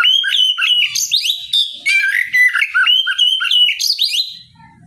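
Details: Morning song of an Oriental magpie-robin, sung loudly to provoke rival birds into replying. Rich, varied whistled notes flow continuously with rapid slurs and chirps, then fade at the end.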